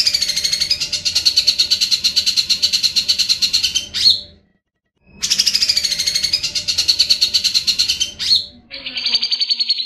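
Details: A grey-cheeked bulbul, recorded as a long-duration tutor song for training birds, gives long, dense, buzzy chattering bursts of about four seconds each, separated by brief pauses, then a clearer, higher phrase at the end.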